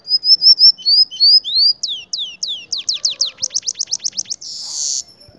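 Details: Cinnamon-rumped seedeater singing in Mérida, Yucatán: high clear whistled notes repeated in a quick series, then rising slurred notes and a fast run of sharp downslurred notes, ending in a brief buzzy note.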